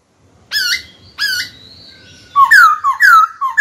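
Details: Kept white-cheeked laughingthrush calling a rival to fight, giving two sharp whistled notes with a pause between, then a quick string of loud slurred descending whistles.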